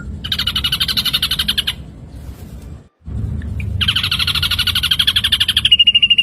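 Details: Ashy drongo song meant as training material for songbirds: harsh, rapidly pulsed buzzy trills lasting over a second, a short pause, then another long pulsed trill ending in a thin steady whistle.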